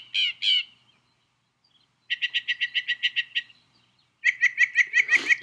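A northern mockingbird copies a white-breasted nuthatch: two nasal notes, then fast runs of about ten quick, evenly spaced nasal 'ank' notes in a steady rattle.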